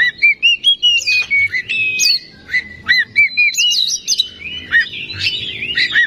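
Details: Oriental magpie-robin singing on a lure track meant to provoke rivals into song: clear whistled phrases that rise and fall, alternating with short trills and bursts of scratchy notes, separated by brief gaps.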